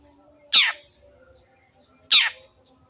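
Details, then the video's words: Long-tailed shrike on a lure recording meant to make reluctant birds sing, giving two loud harsh downslurred rasps about one and a half seconds apart over quiet low hum. "CENDET GACOR PANCINGAN MENGATASI BURUNG MACET ATAU BAHAN AGAR RAJIN BUNYI"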